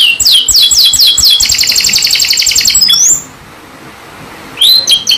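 A canary sings a fast, bright run of repeated high trills and rolling chirps, pauses briefly, then starts another quick phrase.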